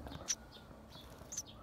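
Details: Eurasian tree sparrow nestlings hidden in a gap in a house roof, with both parents flying in and out, give two thin, high chirps about a second apart over a faint background hiss.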